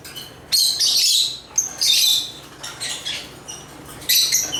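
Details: Intermittent shrill twittering from African lovebirds (Agapornis): a loud burst, a second outburst, softer scattered chirps, and a last loud cluster near the end.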